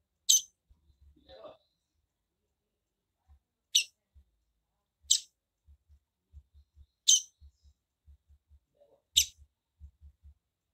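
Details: Calling female Double-collared seedeater repeating a sharp, high, explosive chip note five times at intervals of about one and a half to two seconds, with soft low tapping and clicking sounds in the background.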